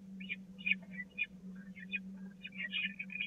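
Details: Peregrine falcon chicks at a nest at the Catharinakerk on 16 April 2019 crowd toward a parent at feeding time while the smallest is passed over. Several overlapping harsh, scratchy begging screeches come in irregular bursts over a steady low electrical hum.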